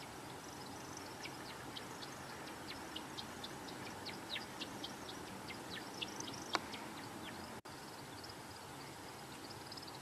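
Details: American woodcock mechanical wing twittering: a rapid run of thin, high chirps, about two per second, over a steady hiss. A male in Kentucky makes it with three narrow outer flight feathers during his spring courtship sky-dance over shrubland or wetland.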